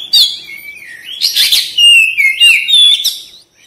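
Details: Oriental magpie-robin in full, active song, played as therapy to prompt a quick response and tail-opening. A fast run of high, sliding whistles and buzzy bursts, loud and continuous for about three seconds.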